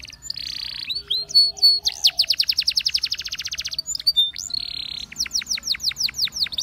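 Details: Belgian canary song meant for training: a buzzy held note, scattered chips, a long even trill of rapid sweeps, then another buzzy tone followed by slower, louder descending notes.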